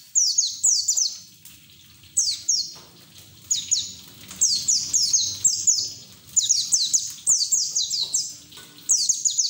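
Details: Singing white-eye in ngeriwik style with open beak, used to stimulate untrained white-eyes: loud, high, downward-sliding chirps in fast groups of two to five, repeated with short pauses across the recording.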